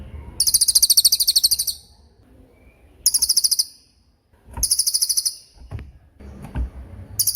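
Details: Cililin giving tembakan-style song for masteran training of murai batu and other songbirds: three high, rapid pulsed trills, each about a second or more long, separated by quiet gaps, with faint low rumble between.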